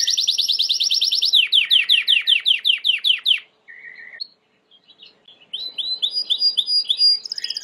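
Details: Timbrado canary song used for training: a dense fast trill, then a series of downslurred notes repeated rhythmically, a brief low tone, near silence, and a return of quick rising chirps.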